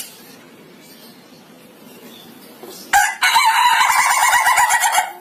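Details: After a quiet start, an Ayam Ketawa chicken breaks into a loud crow of fast, stuttering, harmonic pulses that continue like cackling laughter for about two seconds.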